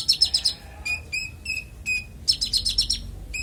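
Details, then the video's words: Konin clear song used to train songbirds: a fast buzzy trill, then widely spaced single sharp chips, then another rapid high trill. "Konin bongkar isian suara jernih"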